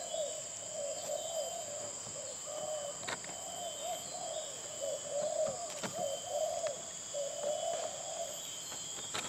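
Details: Spotted dove of the Jementah style giving repeated low, soft, slightly wavering coos in a continuous series, over a steady high hum and occasional sharp clicks.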